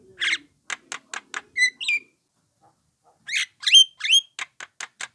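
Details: Lure recording of a young Javan myna meant to make other mynas respond: rapid dry clicking notes, two clear whistled notes, a pause, then harsh chatter with bright descending whistles and further clicks.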